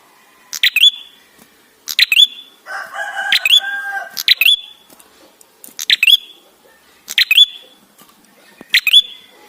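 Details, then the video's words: Ashy tailorbird song used as a lure to get other birds singing: repeated phrases of a sharp clicking note and then a high, upward-hooked whistle, roughly every one to one and a half seconds, with a lower harsh, harmonic call overlapping near the start. "Prenjak gacor suara ampuh untuk pancingan"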